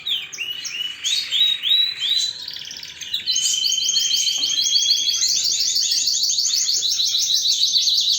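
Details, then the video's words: Canary repeating a few whistled, swooping notes, then breaking into a long, steady, very rapid high trill that continues for about five seconds. "اقوى تغريد طائر الكناري"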